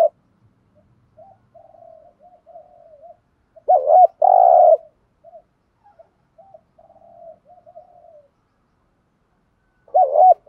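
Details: Spotted dove decoy in training, cooing softly in low, wavering murmured runs, broken by one loud buzzy double coo in the middle and another at the end.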